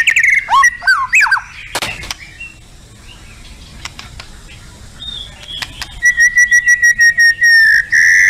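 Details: Contest-style shama song (tembakan): a burst of slurred whistles and clicks, a quiet stretch with faint scattered notes, then a run of clear repeated whistles near the end.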